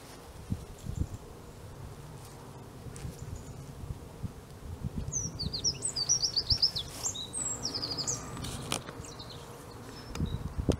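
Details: Eurasian wren at De Kleuter, Uden, 5 March 2015, giving a fairly distant burst of high, rapid twittering notes and trills lasting a few seconds, with steady low background rumble and occasional clicks.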